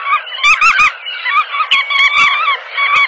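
Bar-tailed Godwit giving nasal, yelping calls with a slight upward inflection, several in quick succession and overlapping, as from a small group.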